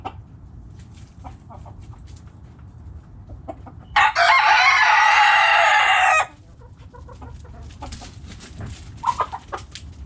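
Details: Backyard chickens with soft scattered hen clucks, then a loud rooster crow of about two seconds, broad and buzzy with strong harmonics, before quiet clucking and pecking sounds resume.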